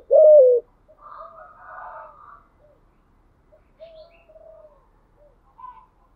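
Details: One loud, steady, slightly falling coo from a spotted dove in the thúc gù style opens the recording. It is followed by faint, distant chirps and soft bird chatter.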